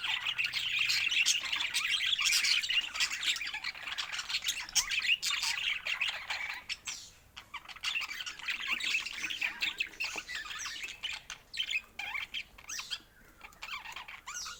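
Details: Pet budgerigars give long, rapid chattering with fast clicks and warbles, loudest at first and becoming more broken later.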